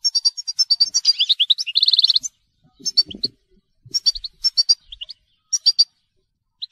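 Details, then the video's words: Goldfinch telqam song: rapid chains of high, clear twittered notes, then a dense buzzy trill, followed by sparser repeated chirps and short rising whistles with a few soft background knocks. "Chant Chardonneret telqam"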